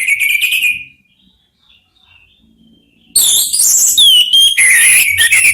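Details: Three orange-headed thrushes trading song: a loud warbled phrase, a quiet pause of about two seconds, then a vigorous outpouring of high whistles and sliding notes over a faint low hum.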